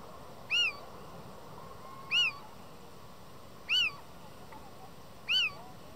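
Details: Male little owl, Madrid, February, breeding season, beside female, mewing insistently and answered by another nearby owl; four loud, mewing, arched 'kiew' notes, about one every one and a half seconds, over soft background hiss.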